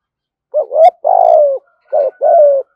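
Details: Spotted dove cooing in the 'thúc gù' style with a deep 'thổ' voice: two low, mellow phrases, each a short wavering coo followed by a longer, slightly falling coo, with a brief pause between them. No other sounds.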